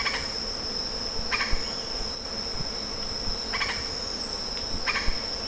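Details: Lettered aracari producing three clipped, grating notes roughly one and a half seconds apart, with a persistent high-pitched insect whine and occasional low knocks in the background.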